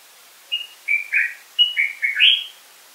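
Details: Song of a common bulbul: one chattering phrase of six short fluty notes, alternately lower and higher, ending on a brighter rising note, against a quiet background.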